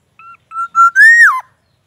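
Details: Black-naped oriole in captivity, morning sunning session, producing a rich flute-like phrase: a short note, a pause, then joined whistles rising steadily and ending in a quick downward slur.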